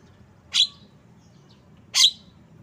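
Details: Javan myna giving two short, harsh, buzzy notes with a bright whistled core, about one and a half seconds apart, over a faint low hum.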